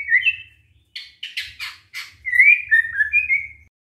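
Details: White-rumped shama lure song aimed at getting other shamas to answer: an opening whistle, a few harsh, rasping bursts, then smooth rising and falling whistled phrases, with a faint low hum behind.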